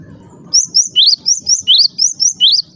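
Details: Java sparrow call that provokes other Java sparrows: after a moment of low noise, a brisk series of about ten high, bright chirps, some notes rising sharply.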